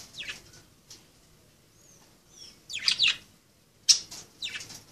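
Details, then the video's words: Playing budgerigars make scratchy descending chirps in small clusters, broken by brief soft whistled notes and quiet pauses. "Pericos australianos jugando"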